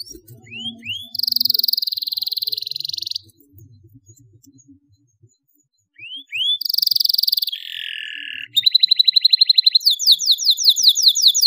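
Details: Vigorous canary singing played to young canaries as a lure to learn song. Rising whistled slurs lead into sustained buzzy trills and a lower falling phrase. After a short pause comes a fast, repeated, pulsed trill that steps between two pitches. Faint low background murmur.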